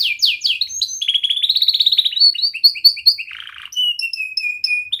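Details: Young canary singing as a training model for other canaries: descending sweeps open into a steady rolling trill, then paired chirps repeated about twice a second, a short buzzy patch and level whistled notes.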